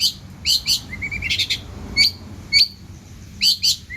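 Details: Richly varied long-tailed shrike song: bright high whistles in doublets mixed with a quieter low twittering run and short chirps.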